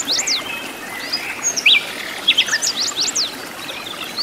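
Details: Wild sikatan londo flycatcher in its natural habitat, singing lively: scattered high, thin whistled notes and quick upward and downward slurs, with short bright chirps clustered around the middle over a soft hiss of outdoor background.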